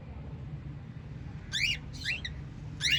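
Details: White lovebirds from a family of five give three sharp, harsh chirps in the last half, each sweeping up and down in pitch, over a steady low hum.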